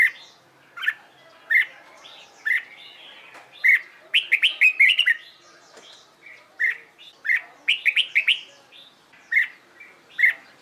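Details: Trained red-whiskered bulbul in competition song practice, delivering bright chirped notes and short warbled bursts, busiest in a dense run midway, with quieter chirps at either end.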